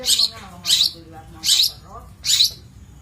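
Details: Long-tailed shrike, a master recording for training birds: four harsh, hissing, scratchy bursts, each about a quarter second long, repeated roughly every three-quarters of a second.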